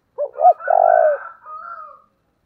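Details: Spotted dove with the 'giọng thổ' voice, pushed to heated calling: two quick stuttered notes, then a long buzzy coo blending into a fainter, higher, drawn-out tail that fades off.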